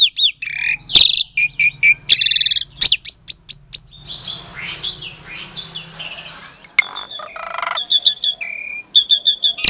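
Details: Captive-bred Asian pied starling from Klaten, Indonesia, recorded February 2022, singing a lure song meant to provoke silent starlings into answering: harsh rasping bursts mixed with sharp high whistles and rapid chattering notes, with a noisier scratchy middle stretch.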